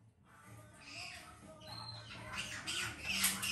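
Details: A young female white-bellied caique being hand-fed gives harsh, scratchy squawks and rasping chatter, repeated and growing louder, with faint household noise behind.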